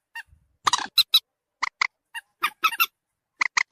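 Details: Common moorhen calls from a lure recording meant to bring birds near: harsh honking notes mixed with short sharp clucks in irregular groups, some doubled, ending in a quick run of three clipped notes; no other sounds.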